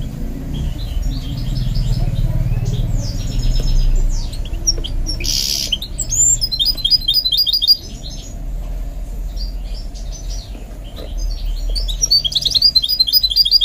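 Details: Goldfinch mule in song training: high, rapid twitters, buzzy trills and sharp repeated chirps in several bursts, with a low rumble underneath.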